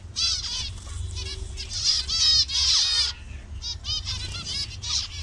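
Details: Zebra finch colony in Bangladesh with several colour variations. Bursts of nasal, trumpet-like calls in quick clusters, briefly pausing after three seconds before more calls resume, with soft fluttering in the background.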